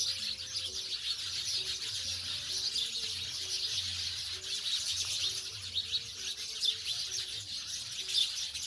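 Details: House sparrows in a village setting, massed sharp chirps blending into a continuous bright twitter, while faint low tonal notes come and go in the background.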